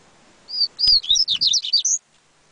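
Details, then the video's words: A yellow-bellied seedeater, the coleiro baiano, sings one loud complete phrase: a level whistle, then a quick series of about ten bright slurred notes rising to a high final whistle. "COLEIRO BAIANO"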